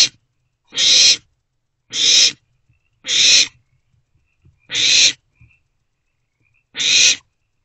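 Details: Inside a nest box holding three owlets, 13 April 2024, early morning hours: five loud, rasping hiss-screeches follow one another roughly once a second, each about half a second long, with near silence between.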